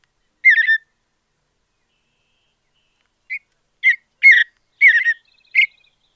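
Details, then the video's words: Mountain Bluebird singing in a natural habitat: a burst of short, warbled notes near the start, then after a pause a run of brief chirpy phrases in quick succession, all clean with no other sounds. "Soothing Mountain Bluebird Songs"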